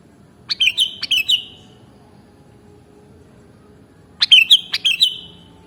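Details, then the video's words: Sooty-headed bulbul (kutilang), original mastering recording: two separate bubbly phrases of about five quick, liquid whistled notes each, the phrases roughly three and a half seconds apart, with faint low hum between them. "Mastering Burung Kutilang Original"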